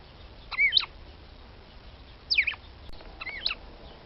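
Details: A female red-cowled cardinal calling to stimulate a male gives three bright, quick-slurred whistled phrases, high and warbling, spaced about a second or more apart, over a quiet background.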